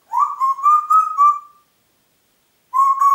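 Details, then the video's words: Congo grey parrot kept at home in Diebach near Hammelburg, whistling a run of five quick linked notes that step gently upward, a pause of about a second, then another matching whistle begins. "Kongo-Graupapagei pfeift pfeifen"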